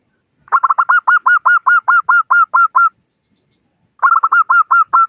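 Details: Local Zebra dove call used as a lure: a long run of about fifteen quick, trilled coo notes, steady and evenly spaced, then after a pause a second series ending in a held note.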